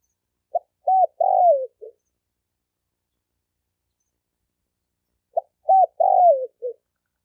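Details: Male spotted dove calling to attract hens, 2020. Two identical four-part phrases come about five seconds apart. Each has a quick note, a looping coo, a long descending coo and a short tail note, with silence between them.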